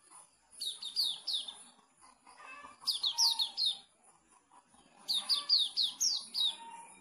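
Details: Sooty-headed bulbul kept in Pemalang, Indonesia, giving three separate short bursts of four to six sharp descending chips. The bursts are spaced about two seconds apart over faint background chatter.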